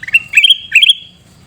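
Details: Sooty-headed bulbul recorded in Pidie, Aceh, giving two quick bubbly phrases of liquid whistled notes that step upward and slur together, with a soft low rumble in the background.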